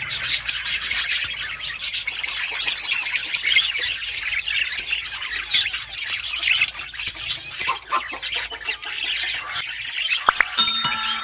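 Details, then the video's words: A flock of budgerigars chirps nonstop, bright rapid twitters and squeaks layered densely for the whole stretch, with a few clear piping notes at the very end. "Budgies sounds to make them happy | Parakeet Chirping"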